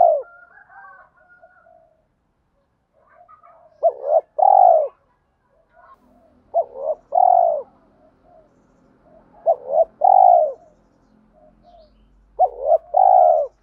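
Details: Spotted dove used as a lure bird, with a deep 'thổ' voice mixed with 'thúc' style, meant to provoke wild doves to fight and draw them in fast. Four cooing phrases come about every three seconds, each a quick wavering double note then a long level coo, with faint chirps between.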